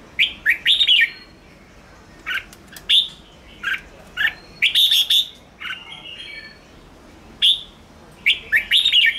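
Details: Red-whiskered bulbul in 'ché' song meant to excite wild birds: clusters of quick, bright whistled chirps, some doubled or tripled in rapid bursts, separated by short pauses, clear against a quiet background.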